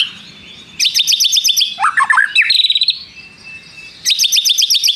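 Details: A white-rumped shama in full song, with prinia mimicry in its repertoire, sings loud, rapid trilled phrases of high repeated notes. These are broken by lower, rich warbled notes and a steady high whistle.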